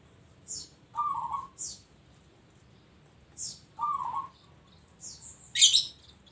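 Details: Local zebra dove singing: two quavering coo phrases about two and a half seconds apart, mixed with thin high chirps and a loud squeaky burst from other birds.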